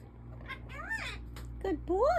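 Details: Pet African ringneck parrot talking indoors, producing speech-like syllables with swooping, rising and falling tones, alongside a person's voice praising it as a good boy and a steady low hum.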